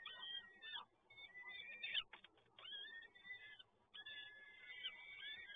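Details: Peregrine falcon chicks being fed at PGE Toruń, Poland, 30 April 2022, give long harmonic wheezing cries in clusters, broken by a quick crackling burst around the middle.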